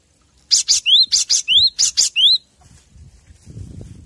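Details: Cinereous tit master recording for training captive birds to sing: a rapid burst of sharp high ticks mixed with short rising whistled notes, about nine elements in two seconds, then faint low rustling.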